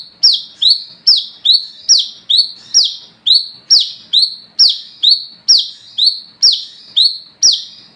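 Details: Olive-backed sunbird singing after dark, the ngalas ngeplong song kept as a lure for fellow wiceh: around twenty high, sharply descending notes in a steady, regular run of paired phrases, with no pauses.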